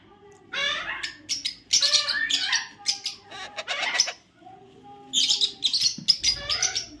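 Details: A white ringneck parakeet chick gives harsh, raspy chattering squawks in two bursts, high and scratchy with quick repeated notes and a pause between.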